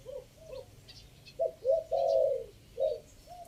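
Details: Chiang Mai spotted dove lure call in the three-kuk style, fifth section: faint coos open, then louder hollow notes lead into one long sustained coo and two closing shorter coos, with faint high chirps behind.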